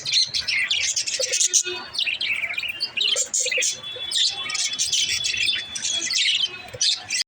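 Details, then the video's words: Budgies chirping steadily, offered as encouragement for lonely budgies to chirp: unbroken squeaky twitter, buzzy warbles and thin rising whistles layered over one another, with a few lower squawky notes early. "Help lonely budgies to chirp"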